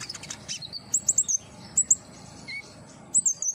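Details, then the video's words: Common iora sound used to stir a captive bird into song: a few short groups of high sharp chirps separated by pauses, over low background hiss. "terapi konin agar gacor !! hitungan detik langsung nyaut"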